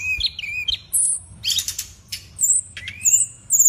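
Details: Cage bird song: scattered very high, thin whistles and squeaky notes mixed with short harsh bursts and a few rising whistled slurs.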